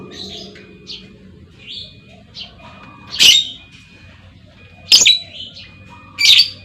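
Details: Lovebird female calling as a lure for other lovebirds; soft squeaky chirps at first, then three loud, shrill screeches spaced more than a second apart, with a faint steady tone throughout.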